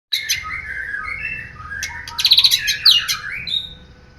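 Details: White-rumped shama kept as a songbird, singing loud varied whistled phrases that sweep down. These break into rapid buzzy trilled bursts near the middle, then end in high sharp notes, over a faint steady indoor hum.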